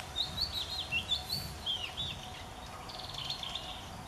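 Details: Love song of an Oriental Magpie Robin, recorded 8 February 2014 at a university nature study centre in Maha Sarakham province, Thailand: quick, sweet whistled phrases with upward and downward slurs that fade into softer, quieter notes toward the end.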